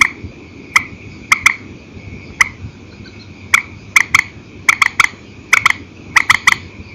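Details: Purple swamphen calling after dark in the single-and-double pattern: crisp knocking clicks, some isolated, many in tight pairs or triplets, coming faster toward the end, against a thin, steady background hum.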